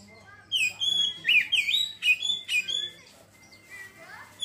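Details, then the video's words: Oriental magpie-robin in ngeriwik song, delivering a rapid two-and-a-half-second burst of loud whistled notes, sliding and swooping phrases mixed with sharp chips, followed by quieter fading twitters over a low steady hum. "kacer ngeriwik langsung ngeplong seketika"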